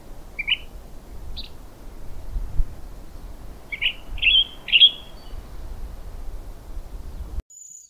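Western Tanager singing short, hoarse, burry phrases, robin-like but rougher, in an uneven series with brief gaps, over a low steady rumble.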